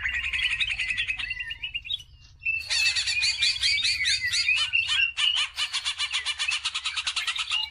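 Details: Continuous greater green leafbird lure song: a rolling trill, a brief pause, then dense rapid chattering with interwoven whistles, used to spur other birds to sing.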